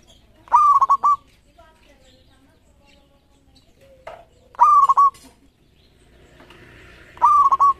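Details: Champion local zebra dove (perkutut lokal) singing actively, recorded as a master lure track: three loud cooing phrases, each a steady hoo followed by quick stuttering breaks, spaced about four seconds apart with faint soft notes between.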